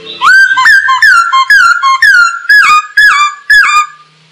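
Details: Masked laughingthrush song used to teach birds to sing: loud whistled notes, each with a sharp onset and falling slur, repeated roughly every half second.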